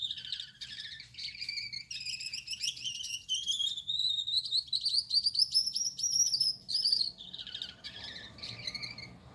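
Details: Gouldian finch male, yellow-backed, red-headed, white-chested, in night-time song: fast chirpy buzzing phrases that climb into a long, high, thin drawn-out tone, then drop into lower rasping notes, over a soft low rumble.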